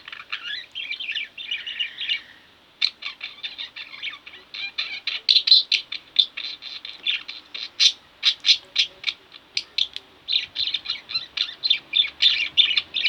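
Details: Two pet budgies: warbling chatter at first, a brief pause, then a long lively stream of loud, sharp chirps repeated rapidly several times a second.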